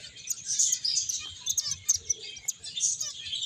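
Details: A group of finches playing and feeding, with constant high twittering and sharp chirps layered over one another and a faint low rumble beneath.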